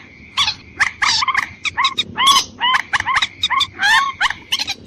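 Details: Watercock calling for a lure meant to attract females and males: loud repeated upswept, hooked notes in quick groups, harsh and nasal, with a low steady tone underneath.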